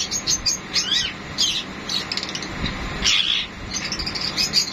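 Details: Sun conures, golden-yellow parrots of northeastern South America, calling while mating: scattered harsh, buzzy chattering bursts at intervals over a noisy background.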